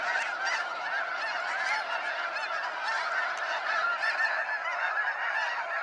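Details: Sunset fly-out at Sacramento National Wildlife Refuge, waves of snow geese producing an unbroken, crowded chorus of high barking honks, individual calls overlapping densely.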